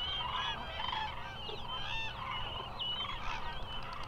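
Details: A large flock of migrating common cranes at the Hula Nature Reserve wetland, Israel, gives a steady chorus of overlapping loud, rolling, trumpeting calls over a low background rumble.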